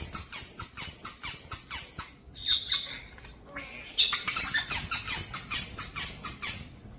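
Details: Pet European starlings about a year old, raised after falling from the nest, make a rapid run of very high squeaky chirps in repeated bursts, a brief pause with a few thin whistles, then more fast high chatter indoors.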